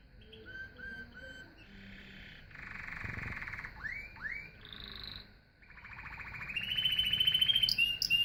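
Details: Singing canary running through varied phrases: short repeated whistles, a harsh buzzy rolling section, two swooping rising notes, a thin high whistle, then a brisk trill climbing to sharp high chirps.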